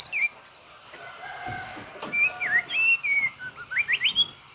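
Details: White-rumped shama singing its full repertoire with mimicry: thin descending whistles, then loud looping whistled phrases that dip and rise, ending in quick upslurred notes.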